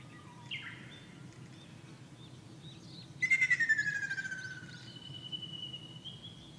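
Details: Ruddy kingfisher in Shizuoka, Japan, on 2 June 2024, with several birds in the area, giving its rolling, descending trill, a rapid run of notes sliding down in pitch, with faint whistles of other birds and low background rumble.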